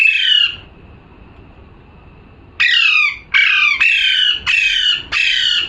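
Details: A single grating squawk opens, then after two seconds of quiet a parrot launches into five rapid harsh calls, each a short raspy shriek about half a second apart.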